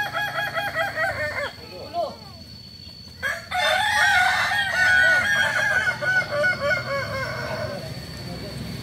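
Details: Stepped crowing from a Kukuak Balenggek cock, the multi-level crowing chicken native to Tigo Lurah, Solok, West Sumatra. Two crows are heard: a rapid series of arched, bouncing notes, a short pause, then a second long, undulating crow.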